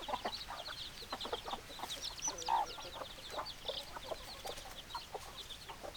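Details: A flock of hens clucking continuously in dense overlapping short notes. A brief drawn-out squawk stands out midway.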